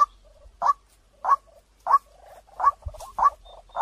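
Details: White-breasted waterhen lure call with a clear tone: loud harsh notes repeated about every 0.6 seconds, with short bubbling pulsed rattles between them.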